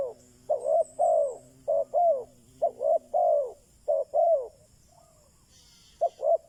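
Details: Spotted dove used as a decoy bird to lure wild doves, giving repeated three-note coos, two short notes then a longer downslurred one, phrases about a second apart with a brief gap near the end.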